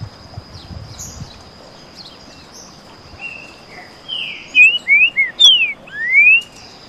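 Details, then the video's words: Two green-winged saltators sing canto boi against each other. After quiet distant notes, a loud phrase of five or six slurred whistles, some falling and some rising sharply, ends the passage. "Baderna de trinca ferro canto boi."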